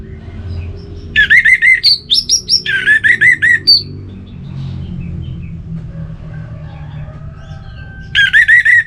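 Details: Orange-headed thrush in a relaxed singing mood, delivering loud bursts of rapid, repeated whistled notes in several phrases over about three seconds, a quieter middle stretch with soft notes, then another quick repeated burst at the end.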